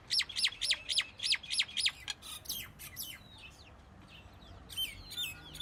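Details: Common myna giving a fast run of about seven loud, sharply falling chirps, then softer scattered chatter and a few thin whistled notes toward the end.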